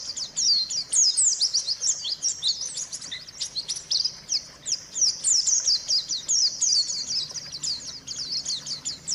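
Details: White-eye song, played as a lure to get silent birds singing again: dense, continuous high twittering of rapid chirps and short slurred whistles, overlapping throughout with barely a pause and no other sounds.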